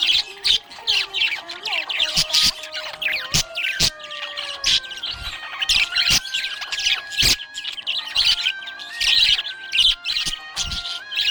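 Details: Budgerigar chirping happily: dense, rapid twittering and short squeaky notes pour out almost without pause, with scattered sharp clicks, over a melodic song with sustained tones playing underneath.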